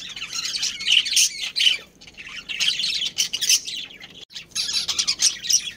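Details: Caged budgerigar breeding pair in a colony giving busy high chirping chatter, harsh squawky notes run together in bursts with a brief pause near the middle.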